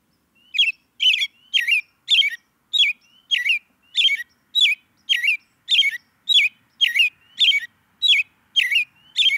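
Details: Chirping American robin (Turdus migratorius) repeats a sharp, clipped note with a hooked pitch sweep about every half second, roughly fifteen times in a steady, insistent series against a quiet background.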